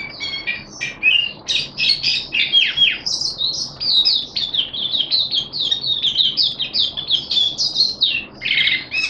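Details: Caged Malaysian Oriental white-eye (mata puteh) singing in excited open display: continuous high warbling of rapid, squeaky twittered notes rising and falling without pause, loud over faint steady hum.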